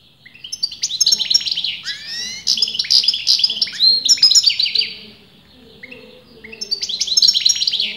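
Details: Continuous song from a caged European goldfinch, male or female unclear to breeders: long runs of rapid, tinkling, twittering phrases with sliding whistled notes, a brief lull, then singing resumes.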